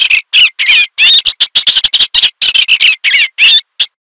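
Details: Loud, close song of an Eastern olivaceous warbler: repetitive scratchy chatter with little upward and downward twisting notes, phrases tumbling after one another with barely a pause.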